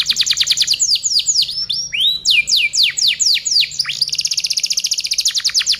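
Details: Canary tutoring song (masteran) for other birds: a rapid trill, then a run of loud swooping downslurred whistles, closing in a very fast, steady chattering trill.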